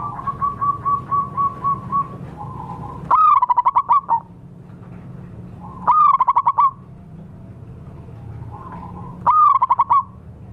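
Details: Wild local zebra dove call used as a lure: a run of soft short notes near one pitch, then loud bursts of rapid staccato trilled coos repeating about every three seconds over low background hum.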